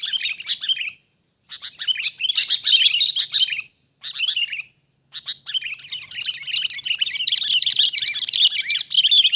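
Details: A wild sooty-headed bulbul being caught delivers loud, harsh chattering bursts, broken by short silences around one, four and five seconds, then building into a long unbroken run of scratchy chirps.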